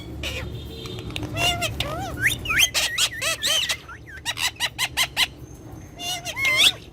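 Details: Two pet talking parrots chatter in bursts of clicks, squeaks and wavering whistled glides, followed by a fast series of sharp ticking notes and a final twisting whistle.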